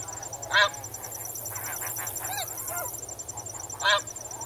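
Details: Snow geese in water, recorded medium-close, giving a loud honk, a scatter of softer bent, wavering calls, then another loud honk three seconds later; crickets pulse steadily overhead.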